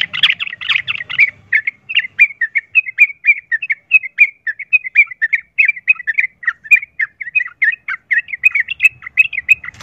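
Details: Long, nonstop run of quick chattering notes from a sooty-headed bulbul, a rapid fighting song used as a lure to make other bulbuls want to fight. The background is nearly clean.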